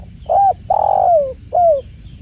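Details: Spotted dove (tekukur) recorded with the sound of water, one close phrase: a rounded coo, then a long steady croo that slides downward, and a short falling final note, with faint low rumble beneath.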